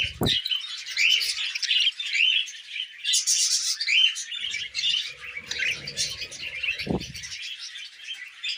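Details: Pet budgerigars feeding on millet keep up a continuous high, rasping warble of mixed chirps and clicks, broken by a few low knocking sounds.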